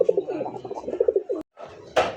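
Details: Pigeons at the Mirpur 1 pigeon market in Bangladesh: rapid, low, throaty cooing pulses repeated several times a second, then a brief break and a sudden burst of rustling noise near the end.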